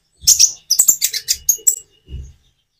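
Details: Common iora song recorded with natural pauses to encourage other birds to sing; a quick series of high, slurred chirps with faint low thumps in the background.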